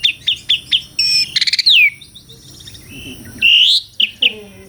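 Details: Asian pied starling song recorded for real: a varied run of clear whistles, short repeated chips, a buzzy rasping burst, sweeping rising and falling notes and a loud harsh note, with quiet gaps.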